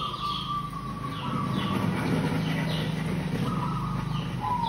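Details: Local zebra dove used as a lure sings a low, rapid run of soft staccato coos over steady background hum, with thin whistled chirps from other birds.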